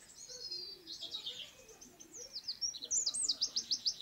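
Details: Eurasian wren singing: fast, high, shrill trills and warbled runs that break into a quicker string of sharp, evenly spaced notes toward the end.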